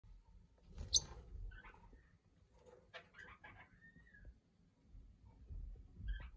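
Parrotlets give a few soft, scattered chirps and one brief sliding whistle, with a sharp click and low rumbling handling noise between the calls.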